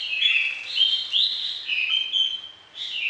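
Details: Orange-headed thrush singing a varied, rich song for training other birds, morning and evening: loud whistled phrases sliding between middle and high pitch, run together almost continuously with a brief pause near the end.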